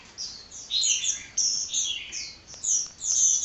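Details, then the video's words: Hummingbird singing without pause: bursts of thin, high twittering notes and quick chirps. The phrases come in runs about half a second long, separated by short gaps, over a faint background hiss. "Kicau Burung Kolibri Ngocehnya Ngedyan Ra Leren Leren"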